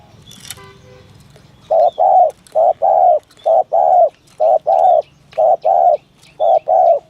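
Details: Spotted dove in 'thổ thúc gù' style, a call meant for luring doves. A brief harmonic sound comes first, then steady paired coos, each a quick note followed by a longer one, with faint high chirps from other birds.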